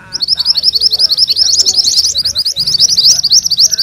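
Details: Yellow mantenan in a continuous rolling song for training magpie-robins: about four seconds of very fast, high, chattering notes with slight rising and falling, over faint background twittering.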